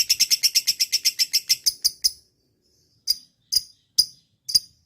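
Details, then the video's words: A lovebird starts with a quick run of bright, high chirps that slow and space out, stops for a second, then gives four separate sharp single chirps about half a second apart. "Love bird - auto nyaut"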